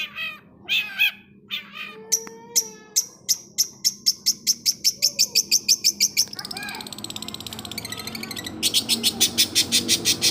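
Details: Long-tailed shrike song opening with harsh notes, then a steady run of rapid ticking chips, a buzzy grating passage and more fast chips.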